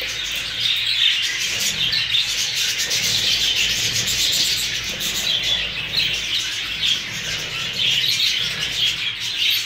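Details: A group of new Hogoromo budgerigars chatter steadily, a busy wash of high, scratchy twitters and warbles, with occasional louder squeaks and faint rustling or wing movement underneath, lasting nearly ten seconds without a break.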